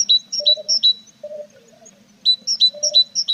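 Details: Tits nesting with chicks that are gaining feathers, 21 April: two short volleys of rapid, high, doubled chirps framing a brief quieter gap, over a low continuous hum.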